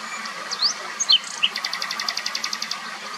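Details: A common nightingale sings a few sharp whistled slurs, then a fast run of about twelve repeated chattering notes at roughly six per second, over faint background hiss.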